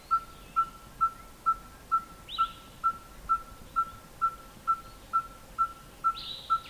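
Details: Red-fronted tinkerbird calling with its beak closed and throat inflated, a steady series of short, pure, hammer-like notes repeated about twice a second, with a couple of faint higher chirps from other birds.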